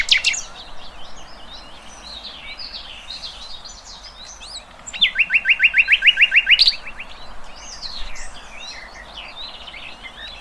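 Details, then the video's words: Birds singing in open nature, varied chirping phrases broken by a fast even trill of repeated notes lasting nearly two seconds, then more mixed twitters. "Kicauan Burung Cerminkan Suasana Damai"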